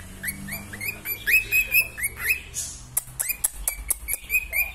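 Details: Pet female cockatiel singing in a series of rising whistled notes mixed with sharp clicks and chirps, delivered in quick irregular bursts, with a low background hum.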